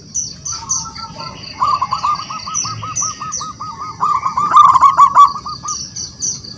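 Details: Wild local zebra dove singing energetically to call rivals into song: a long run of quick, rolling coo notes, a rapid stuttering series with a brighter burst near the end, over steady high, thin chirping from other birds.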